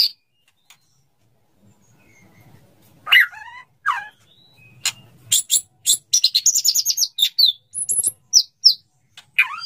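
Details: Male white-rumped shama wooing a female to mate, heard in sparse sharp notes, then a dense burst of high chattering and squeaky calls in the second half.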